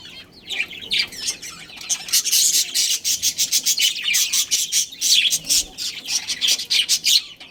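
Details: Colony of budgerigars, including a breeding pair, chirping continuously with rapid high, harsh twittering notes packed closely together, in irregular loud bursts.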